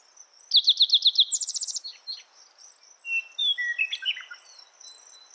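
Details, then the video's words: Spotted towhee song: a run of six sharp, bright downslurred notes flowing straight into a higher buzzy trill, heard once, followed by scattered chirps and whistles from other birds over a steady high insect whine. "Spotted Towhee Bird Sound, Bird Song, Bird Call"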